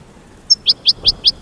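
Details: American goldfinch singing, a brief burst of five bright, high chirped notes spaced evenly, each a quick downward-sweeping tweet.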